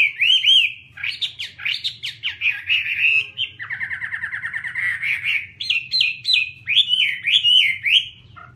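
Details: Rich, continuous Chinese hwamei song: looping upslurred whistles, a fast rattling trill in the middle, then repeated bright swooping phrases, with a low background hum throughout.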